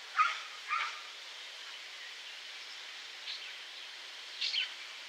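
Lesser grey shrike giving a few short, harsh, scratchy call notes, two early, then a faint one and a quick double note, over steady background hiss.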